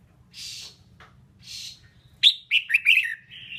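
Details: A female red-whiskered bulbul, whose song is used to spur males, gives two soft raspy buzzes, then a lively burst of sharp whistles that ends in a long, wavering whistled note. A low hum sits in the background.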